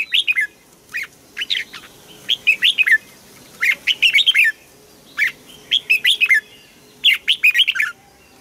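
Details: Asian bird singing in Thailand, repeating short phrases of several quick, descending, sweet chirps roughly every second.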